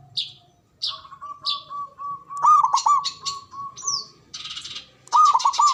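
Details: Local Javanese zebra dove with a big, loud voice, used to stir breeding drive and fighting spirit in other doves: two rolling cooing phrases over a steady low whistle tone. Busy high chirps and twitters from other small birds fill much of the clip.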